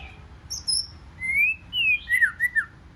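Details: Wild-caught white-rumped shama singing in competition, forest-style: a high thin whistle, then long smooth rising whistles and a few quick wavering notes falling away at the close.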